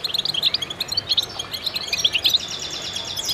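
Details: Chorus of goldfinches in concert, rapid high chirps and twittering phrases tumbling over one another, ending in quick buzzy trills.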